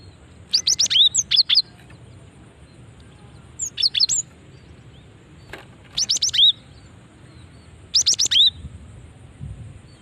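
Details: Female cinereous tit call used to draw other tits into answering; four bursts of rapid high chirps ending in a slurred downward whistle, repeated roughly every two seconds over a quiet hiss.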